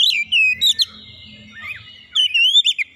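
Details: Short burst from an Oriental magpie-robin provoked by a rival: long, smooth whistled notes that slide and waver, a few sharp accents, over a soft low hum.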